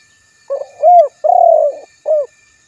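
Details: A spotted dove's mellow cooing phrase of four notes: a soft short lead-in, an arched coo, a long quavering coo and a clipped final note, over a quiet background.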